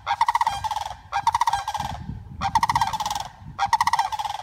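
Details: Rehabilitated female sandhill crane greeting flock mates on being reunited: four loud, rattling trumpet bursts roughly once a second, each a rapid run of rolling pulses.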